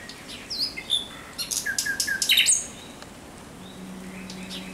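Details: Thrush nightingale singing at night, 17 May 2023: a fast phrase of clicks and whistles building in loudness, then quiet with a faint low steady hum.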